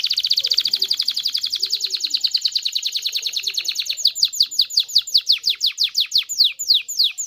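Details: Canary delivering a long, very fast trill that gradually slows into distinct sharp descending notes, with faint low sounds in the background; song to stimulate canaries to mate.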